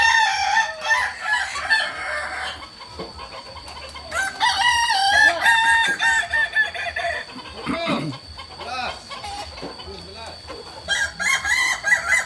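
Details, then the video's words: Kokok Balenggek cockerel at crowing practice in Solok city, giving long, multi-part crows with wavering, stepped phrases over a constant hum and background noise. "Latberan ayam kukuak balenggek"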